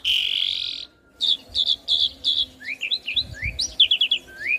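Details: Asian pied starling song used as a master recording for young birds to copy: a harsh buzzy burst, then short chirps and rising whistled slurs in quick succession, with faint low background rumble.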